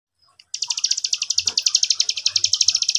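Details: Young, very vocal cigun used as a lure bird, with an untrained cigun answering within seconds: a fast, dry, buzzy trill of even high pulses, about ten per second, starting after a half-second pause and running steadily to the end.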